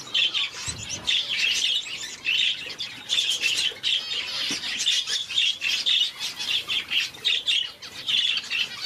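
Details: High, squeaky chirps from parrot finches, red-faced and blue-faced, repeated steadily in short bursts roughly twice a second throughout.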